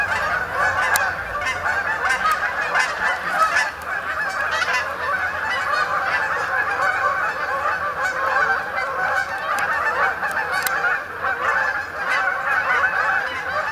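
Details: Canada geese flying in at dusk to spend the night on the main pond at Sapsucker Woods, Ithaca, New York, 28 October 2017; a dense, continuous chorus of overlapping nasal honks from many birds.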